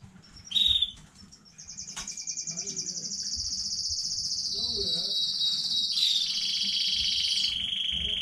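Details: Young home-bred canary of a new breeding batch, 15 May 2019, singing a long, rapid, rolling trill that holds high, then steps down in pitch midway, after a brief opening chirp, with faint room hum beneath.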